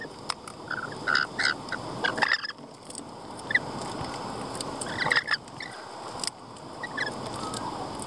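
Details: Lorikeets calling in short, harsh, screechy bursts, scattered notes clustering near the start and again around the middle, with faint background hiss between calls.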